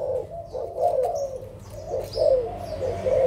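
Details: Adult spotted doves of Malaysian and Thai stock, 16 March 2022: a few mellow, low coos in quick succession, each slightly rising then falling, with a thin high chirp or two behind.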